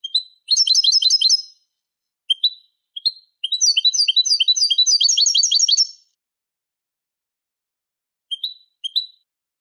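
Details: Eurasian goldfinch singing a Málaga-style tutor song used to teach chicks and hybrids: dense tinkling trills and rapid chattering phrases, broken by short pauses and isolated high chirps, with a clean, quiet background.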